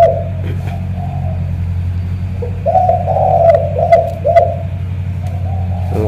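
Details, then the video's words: Spotted dove from Ca Mau, noted for a huge, pigeon-like voice, gives soft, low coos. These build into a run of about four stronger cooing notes. Constant low humming and occasional sharp clicks sound in the background. "Thổ cọp âm khủng hình như bồ câu"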